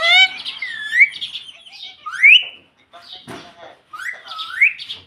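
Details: Pet parrot mixing short rising whistles and chirpy voice fragments, several upward-sliding notes separated by gaps, with soft room noise and faint voices behind.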